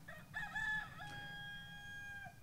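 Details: A rooster crows at the Parc du Faisan Doré, the free municipal animal park of Hasnon: one drawn-out, harmonic crow of about two seconds. It starts strained, then holds a steady tone before fading over low background rumble.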